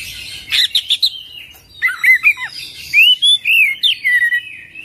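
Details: Oriental magpie-robin singing a full, varied song: a quick series of chipping notes, then clear whistled phrases that rise and fall, delivered in rapid connected bursts.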